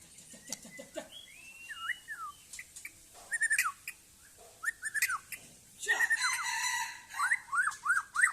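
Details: White-rumped shama of the Aceh type, kept in a yard, singing varied clear whistles with rising and falling slurs and short chirps in uneven bursts, separated by brief pauses, with faint background noise.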